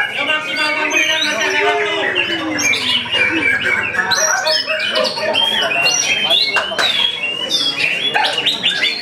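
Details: White-rumped shamas (murai batu) singing in the main class of the Mahardhika Putra Cup songbird contest on Sunday, 11 February 2024; dense, overlapping whistled phrases and rapid chirps from many caged birds, with faint voices and music underneath.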